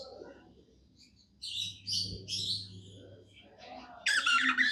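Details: Happy pet budgie chattering: after a quiet start, clusters of high squeaky chirps, ending in a loud harsh squawky burst; faint low hum and soft background noise throughout.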